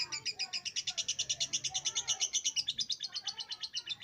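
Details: Lovebird singing in full voice: a fast, even string of sharp, buzzy chattering notes, about three per second, sustained throughout with a slight downward drift in pitch near the end.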